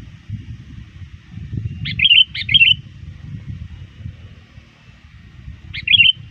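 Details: Near dusk, a sooty-headed bulbul trained as a lure calls out to rivals with two fast, bright, bubbly phrases back to back, silence, then one more phrase, low rumbling noise underneath.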